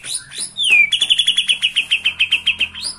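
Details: Bornean white-rumped shama seeing a rival: a downslurred whistle followed by a steady, evenly spaced trill of about sixteen sharp high notes.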